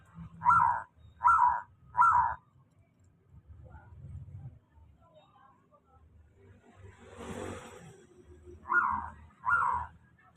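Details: Local zebra dove singing steadily as a lure for reluctant doves: short pulsed coo notes in a group of three, then a hissing burst of noise, then two more coos.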